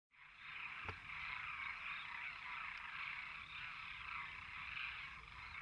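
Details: Flock of demoiselle cranes calling together, a dense unbroken chorus of overlapping rolling, trumpeting calls that holds steady throughout with no clear gaps.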